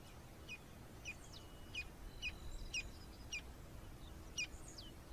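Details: Campo flicker recorded in the wild in Brazil: sharp, high notes with quick downward sweeps, repeated roughly every half second, some notes overlapping, over a soft steady background hiss.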